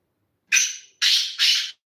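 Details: Black francolin, known locally as kala teetar, from Sindh and Punjab, giving three loud harsh notes: a first burst with a thin whistled tail, then two close rasping bursts, over silence.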